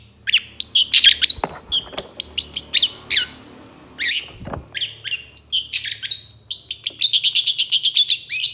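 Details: Lure recording of a long-tailed shrike, played to make lazy birds reply and sing: a busy, varied run of sharp whistles, slurred notes and rasps, ending in a fast repeated chattering series.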